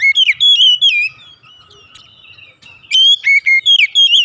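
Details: Morning song of an Oriental magpie-robin, with a run of clear, varied whistles, a pause of about a second and a half, then a second series of sharp, rising and falling whistled notes.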